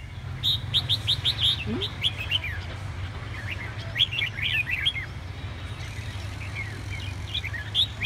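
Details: Red-whiskered bulbul from Hà Tĩnh, Vietnam, singing short bright warbled phrases: a quick run of five rising chirps, then looping, slurred whistled notes that recur in bursts over a steady low hum.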